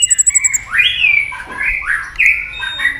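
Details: Murai batu, the white-rumped shama, in lure song: a quick ticking series opens, then harsh, buzzy slurred phrases and squawky rising notes.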